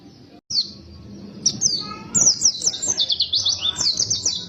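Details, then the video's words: White-eye singing after a brief silence: a few thin high whistled notes, then a fast run of sharp twittering chirps building in intensity, over a low background rumble. "Suara pleci gacor ngotot penuh emosi tembakan tembus"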